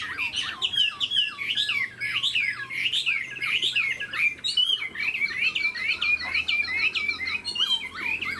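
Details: Tame caged Chinese hwamei, a wild-caught older bird with spread tail and eagle-like wing display, sings a loud, dense run of fast whistled phrases, each note sweeping up and down, repeated in quick succession with varied loops near the end.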